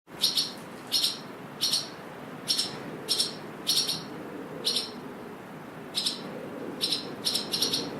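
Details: Swallows calling on a windy day: sharp, high double chirps in quick bursts, about a dozen over eight seconds at uneven spacing, with steady low wind rumble beneath.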